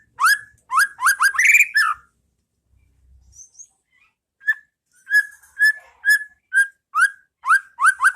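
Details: White-rumped shama masteran in the pastol ngeplong style for training caged birds: an opening burst of quick slurred whistles, a quiet gap, then a long series of short clear whistles, some upslurred.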